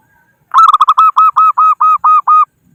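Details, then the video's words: Local zebra dove calling rivals, used as a trapping lure: a single loud phrase of about eleven clipped cooing notes, the first few quick and stuttered, the rest evenly spaced and slightly longer, lasting two seconds. "Suara Burung Perkutut Lokal Pikat Gacor Ahlinya Memanggil Lawan"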